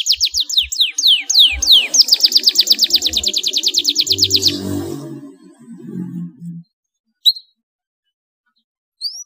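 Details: Canary singing to prompt other canaries to sing: a few sharp descending whistles lead into a fast even trill lasting over two seconds, then low rumbling background noise and two isolated high chirps near the end.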